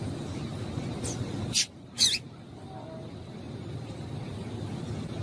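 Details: Female double-collared seedeater calling to stimulate males: two loud high chips about half a second apart, preceded by a fainter one, over steady low rumbling noise.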